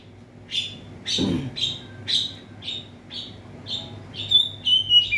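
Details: Oriental magpie-robin kept in a covered cage, singing to rile up rival birds: a run of short, sharp, slightly buzzy notes repeated about twice a second, ending in clearer whistles, with one low thump early on.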